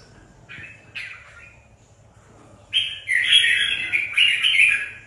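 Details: A competition red-whiskered bulbul readied for a contest gives two short calls, falls quiet, then breaks into a loud continuous bright warbled phrase lasting over two seconds.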